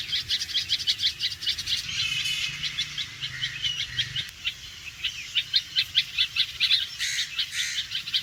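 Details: Red-vented bulbul giving its alarm call, quick sharp repeated notes roughly twice a second, briefly overlapped by a burst of louder mixed chirping midway and a low rumble, then resuming steadily.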